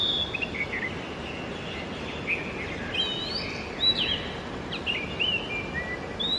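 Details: Early-morning Oriental magpie-robin song, fainter and partly masked by steady background hiss: scattered short whistled notes and slurred phrases, some sweeping upward, with brief pauses between them.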